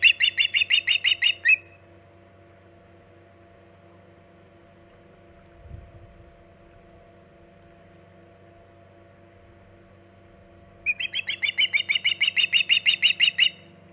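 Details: Osprey calling from the Hog Island nest on 14 August 2019 near midday: two long runs of rapid, piercing chirps, each lasting a few seconds, separated by roughly nine seconds of near silence with a soft thump between.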